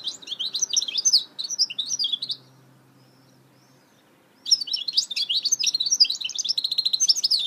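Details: Goldfinch hybrid (mule) singing: rapid twittering phrases of sharp chirps and trills, a pause of about two seconds, then a longer fast run of buzzy notes and repeated trills.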